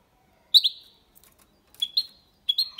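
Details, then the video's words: Hybrid of goldfinch and canary, clean Málaga copy for stimulating females and teaching youngsters: a sharp double chip, then faint rustles, then two more groups of bright tinkling notes with held whistled tails. "Mixto de Jilguero Cantando Limpio sin errores (copia malaga) Hybrid de Chardonneret chantant propre"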